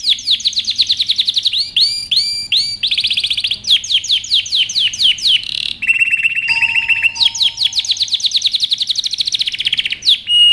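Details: Canary training song: varied rolling tours of fast sweeping whistles, looped notes, buzzy trills and a long low steady tone, changing every second or two.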